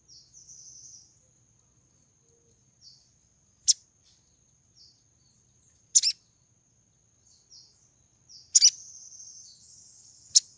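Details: Female Olive-backed sunbird in heat calling to attract a male: sharp, very high chips spaced two to three seconds apart, with softer short high notes between them over a steady thin high-pitched whine.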